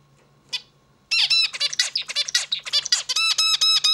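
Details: Zebra finch singing: after a lone short note, a rapid run of buzzy, harmonic-rich notes with nasal stacked tones, ending in a string of evenly spaced bright repeated notes; quiet low hum in the background.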